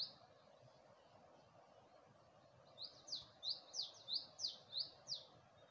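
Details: Bird at dawn in Gulmit, Hunza, with the Passu cones in view: near silence, then a clear series of about eight loud, high, downslurred chirps in quick succession, against soft ambient hiss.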